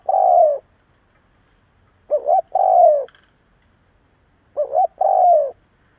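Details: Spotted dove decoy calling to provoke rivals. A lone long coo is followed by two complete phrases, each a quick double hoot and a drawn, falling croo, spaced roughly two and a half seconds apart.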